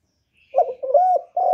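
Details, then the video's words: Spotted dove kept as a lure bird, giving its calling and cooing notes used to attract wild doves: a short, clear, mellow coo phrase in several rolling segments, ending with a sustained steady note, recorded close with no other sounds. "CU GÁY GỌI + GÙ + THÚC CỰC KỲ HAY, Cu Gáy mồi hay, tiếng cu kích bổi, cu đất kích mồi"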